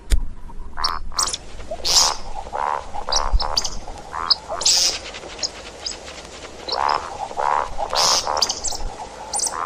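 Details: See-see partridge calls used for hunting: repeated short nasal, harmonic notes alternate with sharp, hissing high bursts in an irregular, busy series over a steady background hiss.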